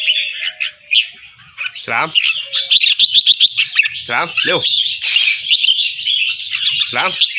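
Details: Albino red-eyed fancy red-whiskered bulbul kept in a cage in Chonburi, Thailand, bred for singing contests, delivering busy warbled song with a loud burst near the middle, while a man talks briefly several times.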